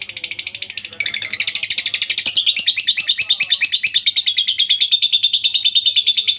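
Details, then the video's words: Lovebird in extended ngekek chatter, kept as a master recording for teaching other lovebirds: an unbroken, very fast trill of shrill buzzy notes, growing louder after one second and carrying a thin whistled tone near the end. "masteran burung Lovebird ngetik,ngekek cocok buat lb lain biar cepat gacor ,ngekek panjang"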